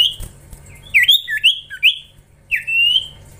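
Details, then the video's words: Common iora chick in training, vocal and lively, gives a cluster of quick looping whistles, a short pause, then a longer steady high whistle over soft background hum. "Gacorrr ngelatih cipow cipoh anakan"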